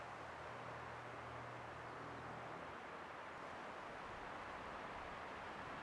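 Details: Steady broadband rumble of passing traffic with a low engine hum during the first few seconds, and no animal voices.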